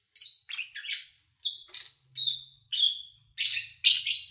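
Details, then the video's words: Kept lovebirds recorded in August 2019 with little engine noise or human activity; a mix of shrill chirps and thinner whistled notes, some gliding downward, in steady bursts ending with a loud harsh cluster. "Sounds of Lovebird Chirping"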